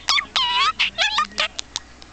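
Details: Pet parakeet indoors in Kalihi, Honolulu, Hawaii, mimicking speech: a string of short, squeaky, harmonic word-like syllables with rising and falling inflections, ending in a few sharp clicks.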